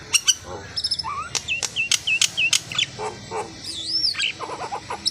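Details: Asian pied starling (jalak suren) song: a jumble of sharp clicks, short rising whistles and looping, slurred whistled notes in an irregular sequence. A constant low hiss and a background insect-like buzz run throughout.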